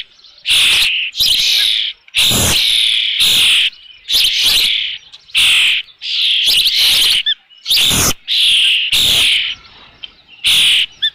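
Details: Osprey with a fish at the nest, Dunrovin Ranch, 3 June 2018 about 5 PM: an insistent run of loud, shrill whistled calls, roughly one each second, nearly continuous for eleven seconds.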